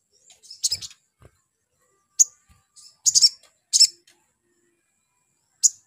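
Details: Spiderhunter calls used as a lure to provoke a bird into singing: scattered sharp, very high chirps, some doubled, in uneven bursts over about six seconds with silent gaps between.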